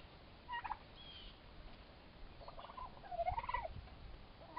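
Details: Two young turkey toms, both about four months old, fighting; bursts of gobbling rattles and wavering warbled notes come in several short bouts over a low, rumbling background.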